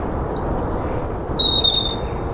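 A European robin sings a brief run of high, thin, sliding notes and trills. A steady rushing noise, like wind or distant traffic, runs underneath.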